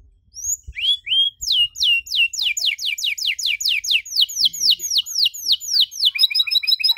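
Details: Canary singing long, elaborate 'cengkok mewah' song for young canaries to learn from: two rising whistles open, followed by a long, even series of steeply falling sweeps, ending in a quick chattering trill.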